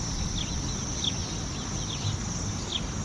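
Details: Spring flock of waxwings sitting high in a city tree in Yekaterinburg after eating berries: continuous high, sibilant trills blend into one shimmering chorus, with brief chirps about every second over a heavy low traffic hum.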